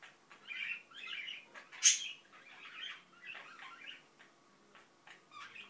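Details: A pet Indian ringneck (rose-ringed parakeet) mumbles in a soft, scratchy run of chattering syllables, with one sharp click partway through.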